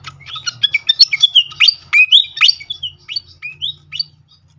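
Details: Malaysian pied fantail (srikatan kipas) lure recording, used to prompt other birds to answer and sing: rapid squeaky chirps and sharp rising and falling whistled sweeps, busy and high, with a faint low hum beneath.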